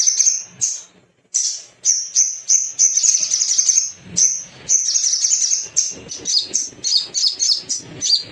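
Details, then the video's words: Male little spiderhunter, sogon gacor used as a lure to stimulate singing: sharp high chirps repeated in steady series roughly twice a second, later breaking into faster paired notes, after a short silent gap. "PANCINGAN CEPAT BUNYI DAN NGALAS❗TERAPI GACOR"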